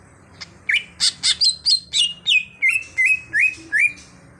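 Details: Cucak hijau (greater green leafbird) in full song: a rapid series of about eleven bright notes, sharp chips giving way to rising, slurred whistles repeated roughly every third of a second, clear against quiet background.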